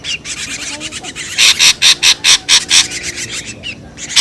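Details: Ashy drongo giving noisy lure calls: fainter rasps lead into a run of loud grating bursts, evenly spaced and slightly slowing, then one more harsh note at the end.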